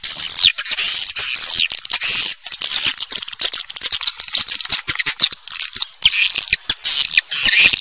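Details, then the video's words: Swiftlet chatter of sharp, high chirps and clicking notes repeated roughly ninety times a minute, mixed with thin whistled slides. "SUARA WALET FULL DURASION"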